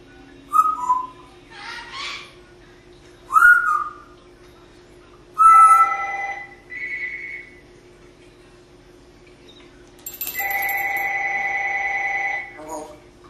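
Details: Female pet parrot in Las Vegas, Nevada, whistling from her window perch: several short falling whistled notes with breathy rasps between, then a long steady electronic-like tone held about two seconds.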